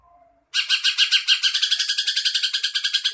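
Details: Greater green leafbird (cucak ijo), a training recording (masteran) of song with filler phrases imitating a sparrow, a lovebird and a kingfisher: after a faint start, a loud, rapid, buzzy chatter of high notes repeats about three times a second without pause.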